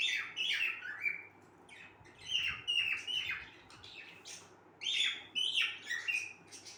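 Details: Near-continuous cockatiel singing: a run of chirps and short falling whistles, some notes repeated in quick pairs, over a low indoor hum.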